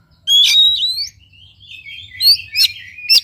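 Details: Song of an Oriental magpie-robin played to stir a silent bird into singing: a loud rising whistle with harsh overtones, varied warbled phrases, and two sharp clipped notes near the end.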